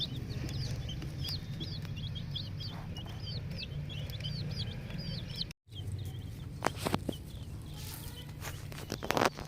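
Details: Ten-day-old chicken chicks in a poultry farm setting, peeping in a busy chorus: many short, high, downward-curving cheeps overlapping rapidly, followed by scattered clicks and knocks against a steady low hum.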